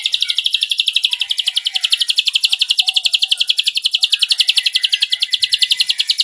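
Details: Ashy drongo tutor recording in the 'nembak cililin' style. A single unbroken, very fast and buzzy high trill of regular pulses, roughly four per second, carries on steadily throughout.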